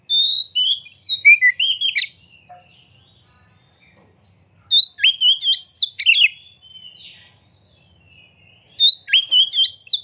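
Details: Oriental magpie-robin (kacer) singing vigorously and flaring its tail, recorded to rouse other magpie-robins into song. Three dense bouts of high whistles, rolling trills and chattering notes, separated by pauses of about two seconds.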